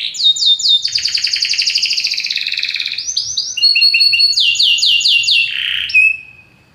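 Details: Belgian canary singing loudly: repeated downward slurs, a long fast rattling trill, then clusters of clipped chirps and swoops, ending in a thin whistle and silence.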